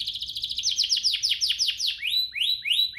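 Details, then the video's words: Canary song played to spur other canaries to sing, with quick falling whistled notes in a dense run, followed by a few slower rising upslurred whistles. "Pancingan ini Berhasil pancing kenari manapun jadi ikut GACOR, Pancingan kenari biar gacor"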